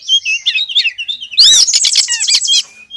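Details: Female Oriental magpie-robin call used to lure the male; high twittering whistles followed by a loud harsh burst and a rapid run of chattering notes, ending in a thin steady whistle.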